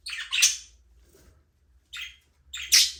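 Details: Budgerigars in a small aviary, free flying and playing: bursts of harsh, buzzy high chirps, three separate squawky clusters with quiet gaps between them.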